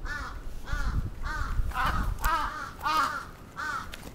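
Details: Crow attack recorded in Atsubetsu Ward, Sapporo, on 27 June 2017: a run of rough caws spaced about half a second apart against a noisy, rumbling background.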